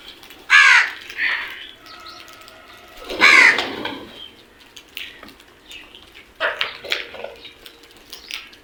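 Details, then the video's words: Several crows calling as a group: two loud, harsh, nasal caws about three seconds apart, with quieter rasping calls from other crows in between and after. "Crows sounds | Beautiful sound effect of a group of crows"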